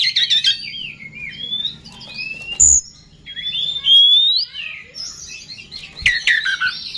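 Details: Oriental magpie-robin song used as a provoking lure to excite rival birds: varied slurred whistles, rising and falling sweeps mixed with scratchy chatter and short bursts, with brief pauses between phrases.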